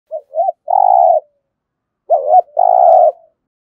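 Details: Spotted dove giving a 'thúc gù' urging coo, used to stimulate other doves to call: two short soft rising notes, then a longer steady mid-pitched coo, repeated after a pause. The background is silent.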